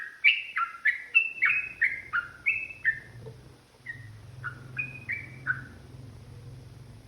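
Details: Yellow-vented bulbul provoked into an emotional fighting song: bright falling whistled notes in a fast series that grows softer and sparser after three seconds, with a low hum underneath toward the end.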